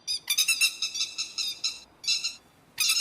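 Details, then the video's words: Lure recording of grey-headed lapwing for netting birds at night: sharp, strident notes run together in quick trains, a short pause, then another fast burst, against a clean, quiet background. "Tiếng chim te te vàng mồi cực chuẩn mới nhật không tạp âm, Tiếng chim bẫy lưới đêm"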